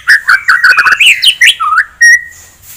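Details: White-rumped shama singing to provoke an opponent: warbled, fluid whistled phrases in quick succession, ending with a long clear level whistle.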